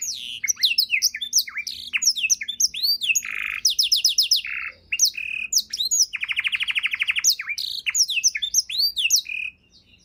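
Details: Canary tutor recording for songbirds: rapid mix of arched whistled notes, fast rattling trills and buzzy rolls, changing phrases quickly, ending abruptly.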